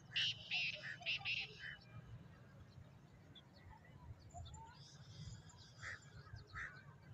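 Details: A Sahiwal/Sindhi-type black francolin, recorded 14/03/24, gives a quick burst of five harsh, grating notes, then fainter scratchy notes over a steady low rumble of background noise.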